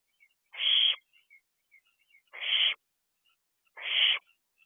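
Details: Barn owlet out of its nest box at 8:22 pm, 16 June 2023, gives three long, breathy, hissing screeches, each about half a second, spaced roughly every 1.7 seconds, with faint clicks between.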